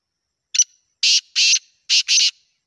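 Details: Pakistani Black francolin (desi kala teetar) gives a harsh, grating phrase of five scratchy notes, one short note then two quick pairs, all within about two seconds.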